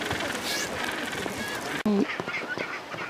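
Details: A gentoo penguin at a big colony on an Antarctic island, where birds sit on rock-pile nests, gives one loud, brief, hoarse honk over the colony's steady murmur and chatter, with wind-like hiss throughout.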